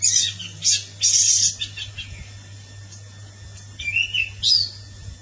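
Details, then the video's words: Orange-headed thrush song: short bursts of high, scratchy, rapid twittering phrases separated by brief pauses, with a steady low electrical hum and a faint constant tone throughout. "Burung Anis merah (Zoothera citrina)"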